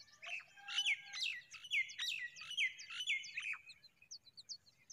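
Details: A mother familiar chat fixing its nest gives a quick run of bright, sharply dropping chirps, about ten in four seconds, over a faint low rumble.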